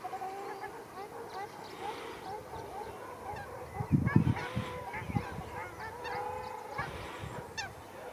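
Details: Ruddy shelducks fighting at Arucas, Gran Canaria, on 13 February 2021, trading loud, nasal, goose-like honks that overlap, with splashing and scuffling thumps breaking in around the middle.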